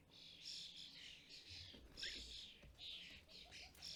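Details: European starlings at a custom-built UK feeder in fledgling season, adults feeding young; continuous chattering of buzzy, grating chirps and whistles overlapping one another.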